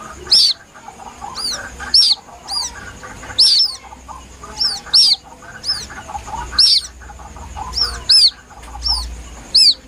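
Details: Plaintive calling of a White-breasted waterhen chick, played as a lure. Sharp, high arched peeps come singly or in quick pairs, roughly every second, over a soft muffled background rumble.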